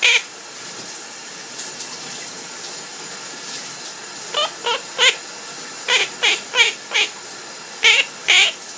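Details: Captive parrot sings while its owner takes a shower; after four seconds of mostly water hiss, clusters of short rising and falling harmonic notes arrive in quick groups.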